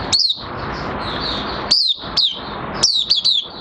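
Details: Oriental white-eye in minor moult giving scattered high, thin, down-slurred chirps, singly and in short runs of two or three, over steady background hiss.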